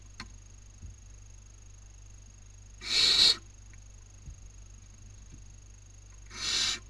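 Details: Wild barn owl nestlings in Cabañeros National Park, Spain, breeding season 2019, competing over food at the nest; two loud breathy hissing screeches about three seconds apart, with faint rustling and a steady hum.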